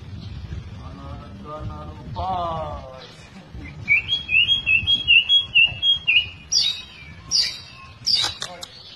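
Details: Indonesian captive white-rumped shama of albino or blorok colouring: after some low, harmonic nasal sounds, a bright high whistled series of about ten rhythmic notes, followed by sharp, high clicking chips.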